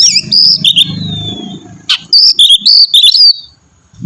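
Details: Oriental magpie-robin song meant to prompt another bird into singing: bright whistled notes and a long falling glide, then a quick series of chirpy phrases, over a low rumbling background in the first half.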